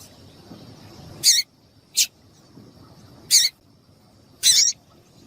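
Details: Female double-collared seedeater giving calls that encourage a male to sing: four brief, piercing high notes about a second apart, with quiet low background noise between them.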